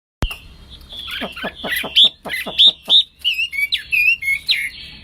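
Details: Hwamei, called wambi locally, singing gacor style: a sharp click, then a run of loud clipped notes with downward sweeps, giving way to rapid rising and falling whistled phrases, all fairly high and bright.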